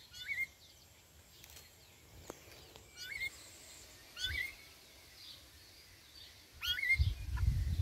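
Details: Juvenile rufous-bellied thrush filmed on 28 November 2022; short, sharp, kinked high notes spaced a second or more apart, with a few clicks and low background rumble.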